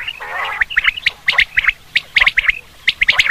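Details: Common quail call for hunting: a low, rough nasal opening gives way to bright, sharp notes in small groups of two or three, spaced irregularly about once a second.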